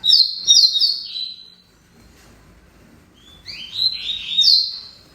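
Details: Tournament double-collared seedeater delivering two high whistled song phrases, sharp chipping notes running into a descending buzzy slur, with a quiet gap of about two seconds between them.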